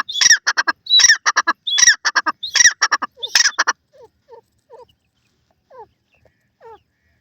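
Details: Francolin, locally teetar, giving loud grating phrases of several harsh notes, repeated roughly every 0.8 seconds for nearly four seconds, followed by scattered quiet downslurred notes.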